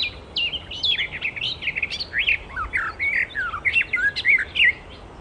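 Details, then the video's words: Wild icterine warbler singing a rich, varied medley of quick chirps, slurred whistles and harsher squeaky notes, delivered in rapid succession without pause. "Burung Kicau Alam Liar (Icterine Warbler birds )Burung Icterine Warbler-Burung Kicau"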